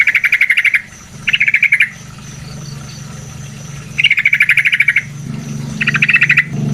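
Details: Yellow-vented bulbul song in natural surroundings, used as a lure to make other birds sing: bursts of rapid buzzy, stuttering notes in two pairs, with a steady low hum underneath.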